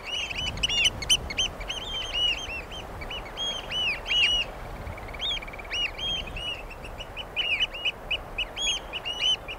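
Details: Eurasian oystercatcher (common pied oystercatcher) in a long piping chorus: loud, sharp kleep-like notes tumbling rapidly over one another, steady in pitch, with short pauses between bursts.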